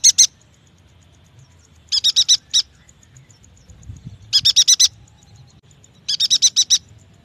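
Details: A yuhina, used as a lure to get young, untrained or silent yuhinas singing, gives short bursts of four or five high, rapid chips, each burst about half a second long and repeated every two seconds or so.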